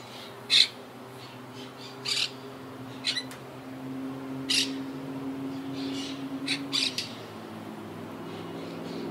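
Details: Quaker parakeets of a wild yacht club colony that lost about half its birds to Hurricane Irma in 2017. Sharp, raspy screeches come irregularly, singly and in quick pairs, over a steady low hum.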